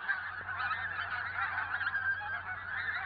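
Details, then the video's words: Pink-footed Goose (Anser brachyrhynchus) in Norway, a flock calling in a dense overlapping chatter of high, yelping honks and 'wink-wink' notes with no pause. "Pink-footed Goose"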